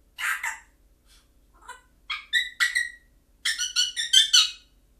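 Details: An African grey parrot imitating a sound from the film The Grudge: separate bursts of harsh, nasal, strongly harmonic squawks and croaks. The bursts come in irregular groups, with a rapid run of four or five near the end, against a quiet room.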